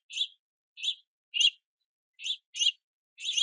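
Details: House finch juveniles begging for food at a rainy feeder; six raspy, rich chirps spaced about half a second apart, the last ones louder and broader.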